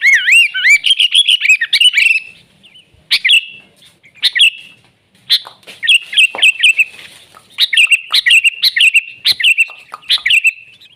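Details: Kutilang, the sooty-headed bulbul, singing busily in natural surroundings; opens with rapid wavering warbled notes, then a pause, then quick runs of bright chirpy whistles rising and falling in rapid succession.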